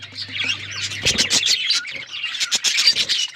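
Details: Budgerigars chirping: busy warbling chatter, then a run of sharp, clicky chirps in quick succession, with a low hum fading out after the first second and a half.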